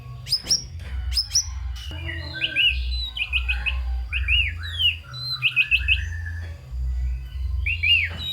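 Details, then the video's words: White-rumped shama, singing vigorously with a song full of fill-in phrases to rouse lazy shamas: two sharp high clicks, then a mix of short warbled, up-and-down whistled phrases and quick chirps. "Murai Batu GACOR Full ISIAN‼️ COCOK untuk Pancingan Murai Malas Bunyi dan Kurang Emosi"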